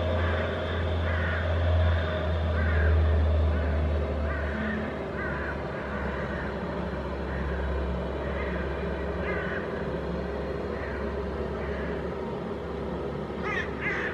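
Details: A few Hooded Crows harassing a flying Northern Goshawk above Helsinki, Finland, in September; scattered hoarse caws in short series, heavy low traffic rumble throughout and a sharper burst near the end.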